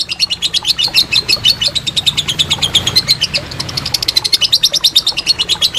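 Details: Training master of a lovebird's long ngekek trill for contest birds: dense, rapid chatter of shrill clipped notes, steady in pace and wavering a little in pitch.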